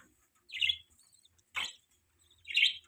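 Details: Morning budgies, adults feeding their young: three short, separate high chirps about a second apart against near silence.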